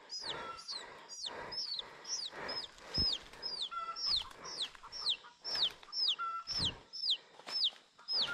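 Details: Captured wild chicken chicks, taken from a flock found near a forest work site and held in a knitted cage to acclimate before taming. Rapid, high, downward-sliding peeps come about twice a second, mixed with dull knocking and thumping work sounds and a steady high hum.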